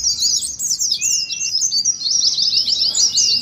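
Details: Oriental white-eyes chattering in ngeriwik style, a simulation of a singing contest. The high, buzzy twitters come thick and quick, and a brief lower whistle slides upward around one second.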